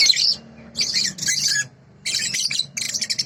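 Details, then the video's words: Sooty-headed bulbul in a clear tutor recording: three short bursts of bright, scratchy, high twittering, each about half a second long, separated by brief pauses, with a faint background hum. "masteran balibu//suara asli jernih"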